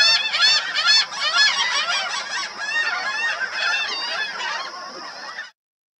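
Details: In Texas, a chorus of Black Skimmers gives nasal, yapping barks that overlap rapidly, about two per second, with a thin steady high tone in the background.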